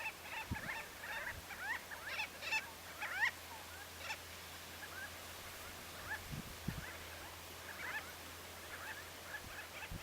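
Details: Common shelducks at the Tancat de Milia reserve by l'Albufera in April, flocks of 12–45 birds with males displaying, give a busy chorus of short, nasal, overlapping chattering calls, with a steady low hum and a few dull thumps beneath.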